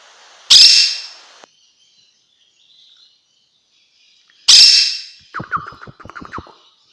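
Young monk parakeets give two harsh, high screeches a few seconds apart, the second followed by a quick run of short, chattering notes.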